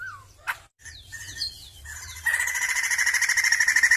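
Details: Soft slurred whistles and sharp chirps from a Sumatran laughingthrush give way, after two seconds, to a loud fast pulsed rattle that continues to the end.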